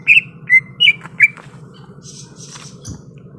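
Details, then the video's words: Greater green leafbird, described as ready to fight, gives four loud whistled notes in about a second, then softer high hissing notes. A steady low hum continues behind. "SUARA BURUNG CUCAK IJO SIAP TARUNG"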